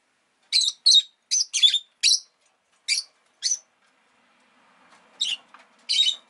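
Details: Rosy-faced lovebird kept as a pet, uttering a rapid series of about ten harsh, scratchy chirps at irregular intervals, with a brief stretch of faint background rumble before the last few notes.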